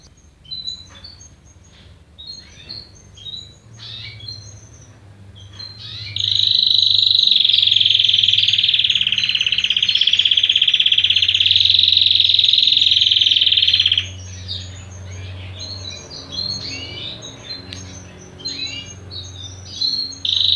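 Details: A young mixed-breed canary tries out its first song: high chirps and twitters around a long, loud rolling trill.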